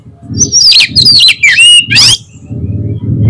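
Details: Oriental magpie-robin lure song aimed at provoking a rival to reply: a tight, loud phrase of descending whistles, a rich warbled glide and a rasping sweep, over a low steady hum.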